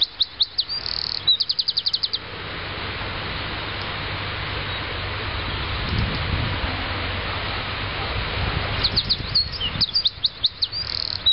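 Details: Eurasian wren (winterkoning) singing loud, rapid, high-pitched trills in bursts at the start and end, the song ending in a characteristic "prrrrrt" trill; a steady rushing hiss like rain or wind fills the middle.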